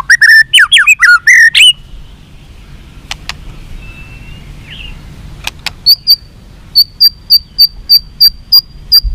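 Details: White-rumped shama singing to incite fighting; opening burst of rich warbled whistles, a quiet gap with faint notes, then a regular series of short high clicks repeated about three times a second.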